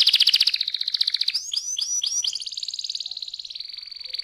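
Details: Canary song for prompting young birds to sing: a loud fast trill, four looping notes, then an even rapid trill that slowly fades.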